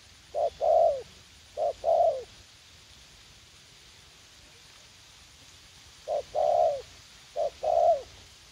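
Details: Spotted dove used as a young, fight-eager decoy for garden trapping in U Minh, Vietnam, calling low two-part coos: a clipped note, then a drawn-out falling coo. Two phrases come early and two more after a quiet gap of several seconds.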